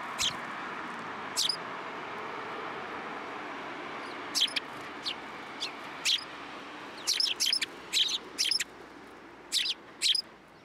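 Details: Sparrows fed from the hand at Tenmangu shrine on 12 December 2022 give short, high chirps, sparse at first, then in quicker bursts of two or three near the end, over a soft steady hiss.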